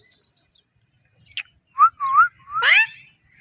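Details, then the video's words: Talking parrot voicing short, clear tonal syllables with rising and bending pitch, the last one louder and harsher, after faint chirps near the start; a person's voice is heard around it. "Mithu Parrot Talking"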